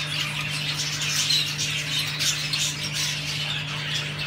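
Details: Rainbow budgerigars, males and females, in an excited mating chorus keep up a dense, scratchy, high warbling chatter with squeaky notes over a steady low electrical hum.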